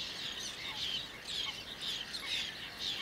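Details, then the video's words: Several rasping, high-pitched calls from whiskered terns in Toledo, Spain, June 2022, coming in quick bursts about twice a second against steady outdoor noise. "FUMAREL CARIBLANCO | WHISKERED TERN"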